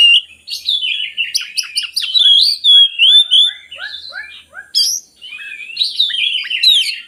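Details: Oriental magpie-robin song used to prompt lazy magpie-robins into singing: a rapid, varied run of clear whistles, sliding notes and sharp chirps with fast stuttering bursts, delivered almost without pause.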